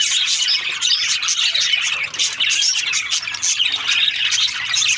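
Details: A crowd of budgerigars in breeding season keeps up lively, high-pitched chattering, mixing sharp squeaks and buzzy trills in an unbroken stream.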